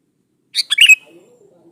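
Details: One short, liquid Sooty-headed bulbul phrase, a quick run of chirps closing on a clear falling whistle, from song played as a lure to provoke rival birds.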